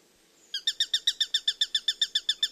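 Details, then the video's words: Bird chirping as nature audio: half a second of quiet, then a run of rapid, regular sharp chirps at about seven per second continuing to the end. "Birds Chirping Sounds"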